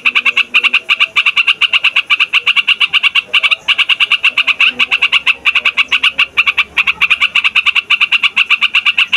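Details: Long, noisy rolling song of a yellow-vented bulbul, used to call in wild birds and to encourage young males and females: quick, insistent chattering notes in long runs with only brief breaks.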